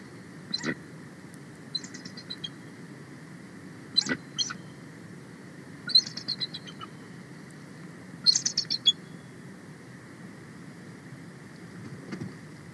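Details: Wild female bald eagle calling loudly from the nest as a sub-adult eagle passes close, 31 March 2024: scattered sharp high yelps and short twittering chatters spaced a few seconds apart over steady hiss.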